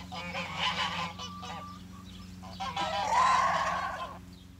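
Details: Geese living among chickens on a spring farm: a burst of nasal honks, a quieter moment, then a long, loud, drawn-out honking outburst that slowly fades.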